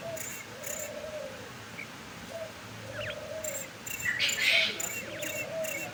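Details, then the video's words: Hand-held male quail calling as part of training: clipped high notes in quick groups, with a louder, denser burst near the end and soft background murmur. "Batair ko hath mai kese bulwaya jata hai | ✋بٹیر کو ہاتھ میں کرکانے کا طریقہ |male quail calling"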